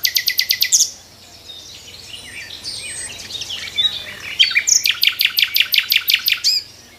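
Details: Nightingale's morning song from a tree: opens with a fast burst of repeated clicking notes, softer varied warbling in the middle, then another long run of loud, evenly spaced sharp notes.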